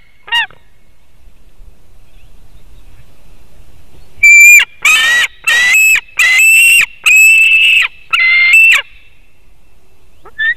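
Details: Morning fish delivery at a white-tailed eagle nest in Latvia, 17 August 2018: a series of loud, harsh, rasping screams in short bursts about once a second, with a brief cry before and after.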